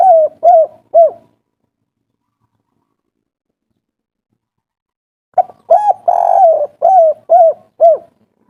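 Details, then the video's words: Agitated spotted dove, kuk 3 local style, used to provoke replies: three quick arched coos end one phrase, a four-second silence follows, then a new phrase with a long coarse central coo and several falling coos. "Suara asli tekukur kuk 3 ngamuk - raja pancingan langsung nyaut"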